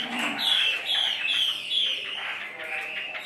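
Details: Chinese hwamei in a cage, giving a few clear, high whistled notes in quick succession that fade into a rougher chattering trill.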